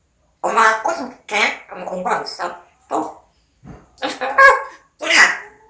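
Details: Pet parrot talking: a run of speech-like syllables in short bursts, several quick words, a pause, then two louder bright syllables at the end.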